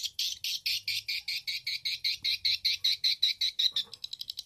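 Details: Swiftlet-house lure track of edible-nest swiftlet calls, played through an amplifier for farmers: a steady train of sharp, high chirps that quickens and shortens toward the end, with a faint low hum underneath.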